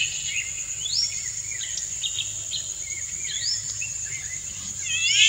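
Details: Male Indian golden oriole singing a courtship song to a female: clear whistled phrases sliding up and down, some rising sweeps, over a constant high insect drone.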